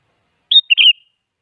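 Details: Energetic sooty-headed bulbul used as a lure to make other bulbuls reply: a clear whistled note, then a quick burst of liquid slurred notes fading into a thin whistle.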